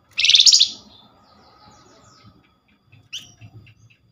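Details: Flamboyan chatter used as a lure for a quick reply. One loud, dense, buzzing burst, then quiet, then a few faint short chirps and twitters.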